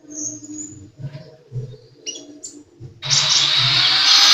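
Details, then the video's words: Sunbird singing energetically: brief high, thin whistled notes, one sustained and others short and slurred, over a low hum, then swamped by loud hissing noise during the second half. "Burung kolibri gacor"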